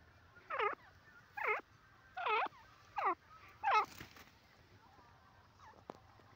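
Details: Grey francolin giving a loud series of five harmonic, wavering notes spaced under a second apart, the last blurring into a broader burst, then quiet with a faint click.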